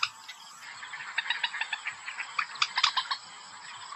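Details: White-breasted waterhen lure call for hunting: a steady series of short, harsh notes repeated rapidly, building to a few louder, sharper notes before fading into hiss.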